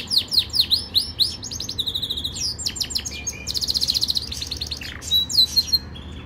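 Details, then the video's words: Yorkshire canary in full training song: looping swept whistles, a mechanical rattle, a loud fast trill around four seconds, and sharp slurred notes near the end. "Most powerful Canary song | Rasmi Yorkshire canary song | best Canary training song"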